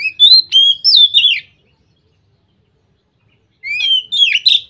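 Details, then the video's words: Oriental magpie-robin singing in the loud, open ngeplong style. A phrase of rich whistles slurs up and down with sharp high accents, then a pause of about two seconds, then a similar twisting phrase. The background is quiet. "suara burung KACER NGEPLONG ini bikin Kacer lain langsung ikut ngeplong"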